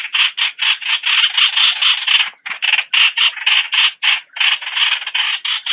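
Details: Dense grating chatter from a Streak-eared Bulbul, rough noisy bursts packed closely together, one brief gap near the middle, faint clicks behind.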